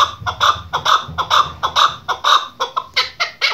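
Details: Female chukar partridge call of the kind used by hunters: a fast series of harsh, clucking chuk notes, roughly two per second, steady and insistent, with low background rumble.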